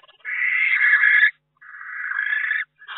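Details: Barn owl at a nest box in May, with chicks hatching and a third owl visiting, gives harsh, hissing screeches about a second long, with brief pauses between them; no other sounds stand out.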